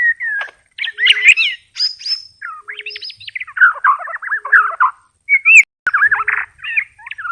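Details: White-rumped shama singing short bursts of rich warbled and chattering phrases separated by brief pauses, with a few high thin whistled notes.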